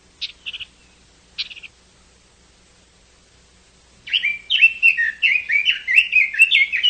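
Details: Chinese hwamei singing: two short buzzy chirps early on, then after a pause a fast run of loud, slurred whistled notes rising and falling, repeated rapidly.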